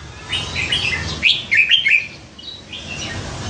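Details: A caged red-whiskered bulbul, nicknamed for its hundred voices, pours out a rapid, warbling run of bright whistles that builds to several loud, emphatic notes, then fades to quieter chatter.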